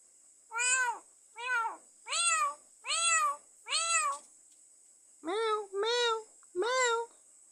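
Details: A pet myna, kept for four years, gives eight convincing cat-like meows, each a rising-then-falling wail about half a second long, roughly one per second, over a steady high hiss.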